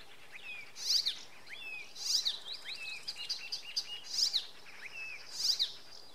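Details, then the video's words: Icterine warbler singing at Oksywie, Poland, in the evening: a varied run of scratchy, chattering and slurred notes, broken by loud sharp chirping bursts about every second and a quarter, over quiet background. "Wieczorem zaganiacz podśpiewuje."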